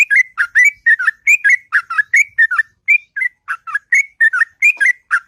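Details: Sweet whistled notes of a sooty-headed bulbul in the morning, sung in the extended ngropel style, come in quick succession, each a short liquid up-and-down slur, forming a continuous chattering stream.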